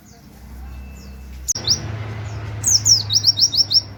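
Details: White-eye singing in the 'nembak wit wit kenari' style, a tutor song for training other birds; after a low hum and a sharp click, high downslurred notes lead into a quick trill of about six rising notes.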